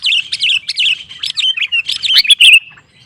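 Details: Sooty-headed bulbul (kutilang) singing gacor to stir up rival bulbuls: a dense, fast string of lilting, bouncing notes ending in a bright flourish.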